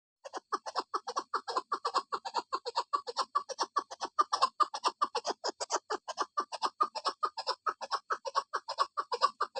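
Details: Female chukar partridge calling a fast run of harsh, clucking chuck notes, about two to three per second, steady and unbroken for nearly ten seconds with no other sounds.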